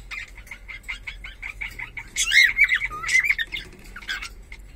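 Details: Pet cockatiel, its sex in question, giving a fast train of soft ticking chirps, then a loud burst of slurred, warbling whistles and squeaks before settling back to quiet notes.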